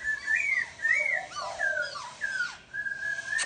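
A laughingthrush sings a run of clear, slurred whistles, rising and falling, about two phrases a second, with a fainter bird chattering behind.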